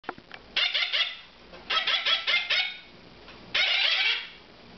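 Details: Captive moustached parakeet chicks almost two months old, at formula feeding time in May 2009, give rapid bursts of nasal beeping calls, three to five beeps per burst, separated by short pauses, with a person speaking afterwards.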